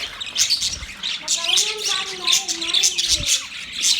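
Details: Budgies chirping: dense, rapid, scratchy high chatter in overlapping bursts throughout, with a few lower warbling tonal notes rising and falling in the middle.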